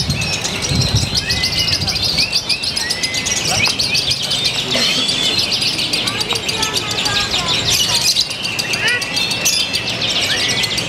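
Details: Lovebird from Purwakarta, Indonesia, singing in a new, eccentric style with ever tighter pauses: a continuous, rapid, high chattering trill throughout, with scattered sharper chirps and voices of people in the background.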